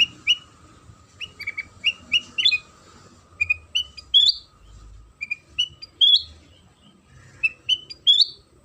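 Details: Lure song of a sooty-headed bulbul, meant to set other bulbuls singing: clusters of quick whistled notes that climb into sharp upslurred phrases, repeated several times, with a constant low hum behind.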